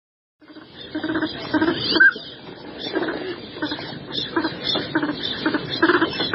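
Northern pintails calling as a busy flock: overlapping, rapid raspy chatter and short bursts, with a steady wash of background noise.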